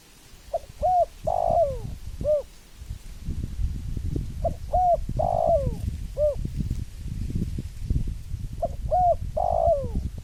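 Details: Three repeated spotted dove phrases about four seconds apart, each with short soft coos, a loud drawn-out falling coo and a final hoot, with steady low-frequency rumbling beneath.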